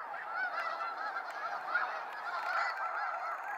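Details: Flock of snow geese in a sunset fly-out at Sacramento National Wildlife Refuge, a softer, more distant murmur of countless overlapping honks forming a continuous rolling chorus.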